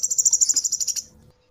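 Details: Cinereous tit trill from a bird-training master recording: about a dozen rapid, evenly spaced high pulses in one second, fading out quickly to silence.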